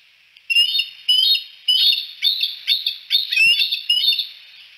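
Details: A piping series from bald eagles at Decorah, three sitting on the Y at sunset: about eight sharp, high chirped notes given in quick succession, each with a brief upward slur, roughly two per second.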